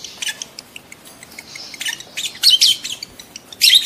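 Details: Breeding lovebird calling to prompt mating: sharp high chirps and squeaks in irregular bursts, quickening into louder piercing notes toward the end.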